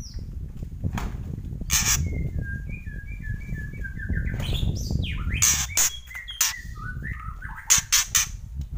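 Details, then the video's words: White-rumped shama kretekan: a run of short level whistles, then a downward swoop, sharp clicks and more whistled notes, ending in a quick burst of clicks over steady low background noise. "Kretekan Murai Keras"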